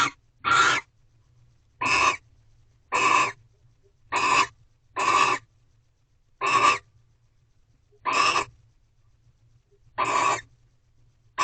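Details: Repeated barn owl screeches from a Corral owl box during the twelfth night of a mating ritual, 1:13 am, 3/2/23: about ten brief, breathy, harsh bursts spaced one to two seconds apart over steady low hum.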